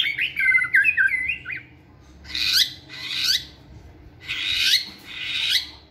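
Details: White-rumped shama singing energetically while training for stamina in a flight cage: a run of clear whistled notes near the start, then loud bursts of rich, buzzy, warbling phrases with pauses between them.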